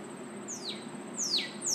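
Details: Northern cardinal song with loud whistled notes swooping downward in pitch, each stronger than the last, the third cut off at the end. Faint continuous high whine and low-frequency hum in the background.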